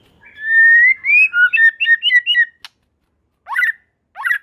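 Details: White-rumped shama song meant to provoke other shamas into answering: clear whistled notes slurring upward, then a quick run of short looping phrases, followed by a sharp click and two harsh, buzzy bursts after a pause.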